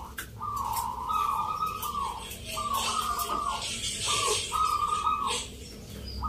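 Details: Contest of local zebra doves, Mentaraman rhythm-song category, Yogyakarta, Sunday 19 November: long steady coo phrases with short breaks, then clipped notes, over a loud, busy wash of crowd noise.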